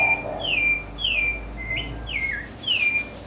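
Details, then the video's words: A sabiá thrush sings in a house backyard in a big city, giving clear, high whistled phrases, each a quick falling slur, repeated about every half second over a faint background hum. "SABIÁ CANTANDO NO QUINTAL - BIRD (SABIÁ) SINGING IN MY HOUSE"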